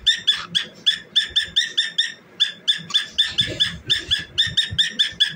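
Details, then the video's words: A famous pet cockatiel sings and dances through a long, quick chain of short, bright, ringing notes, with some closely doubled notes and one short gap. Faint low bumps sound throughout. "Cockatiel Singing and Dancing"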